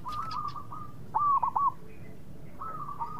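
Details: Local zebra dove singing as a lure for rivals to answer quickly; one loud, short rolling coo phrase in the middle, with fainter cooing runs before and after and some wing-like rustling.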